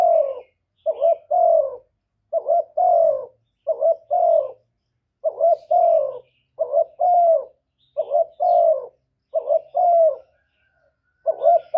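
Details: Spotted dove giving a long run of luring coos to excite other doves. Regular two-part phrases, about every 1.4 seconds: a short wavering note then a drawn-out mellow coo that falls slightly.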